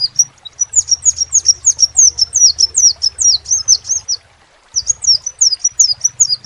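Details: A crimson sunbird delivers a long run of shrill, piercing downslurred notes, about two per second faster than a trill, pausing once before resuming; a low mechanical hum runs underneath.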